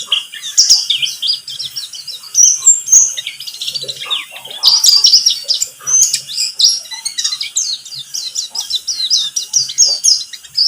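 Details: Buxtomi white-eye lure sound to make white-eyes sing. Dense, continuous, high twittering and chattering runs throughout, with a faint low hum underneath.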